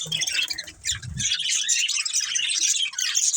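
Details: A family of budgerigars chattering together, steady high twittering and warbling with a few harsher squawks, briefly with a low soft thumping at the start.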